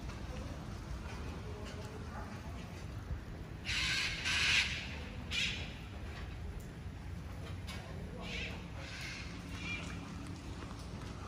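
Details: Red-bellied macaw flying with a chestnut macaw as a flock at a new, more challenging site, giving a few harsh, grating squawks in short bursts, loudest near mid-clip, over a steady low rumble of wind or handling noise.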